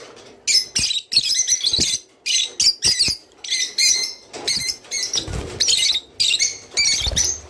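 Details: Rice finch singing, a sound meant to spur birds to breed; choppy bursts of high chirps and twitters throughout, with some low rustling and thumps in the background.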